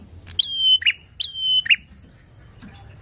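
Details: Bar-winged prinia song used to provoke rival birds: two bright notes slurring from about 4k down to a long steady whistle, then a lower buzzy ending note, given twice in quick succession.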